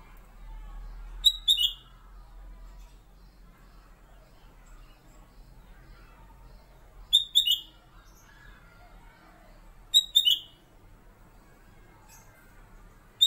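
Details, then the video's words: Kutilang emas, or black-capped bulbul, kept as a master bird whose fairly monotonous song magpie-robins learn, repeats the same short phrase three times at roughly three-second gaps. Each is a clear high whistle sliding down to a lower note. "BURUNG "KUTILANG EMAS" KU BERBUNYI...SUARA MASTER"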